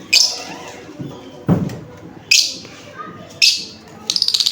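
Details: Lovebird giving loud, shrill chirps in short bursts about once a second, each a harsh high screech. A fast rattling series of clicks at the end, with a dull thump and a background hum of indoor noise.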